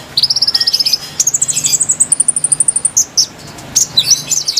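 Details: Konin singing, a recording meant to lure wild birds: a very high rapid chattering trill that climbs in steps to a higher pitch, then breaks into scattered sharp chips near the end.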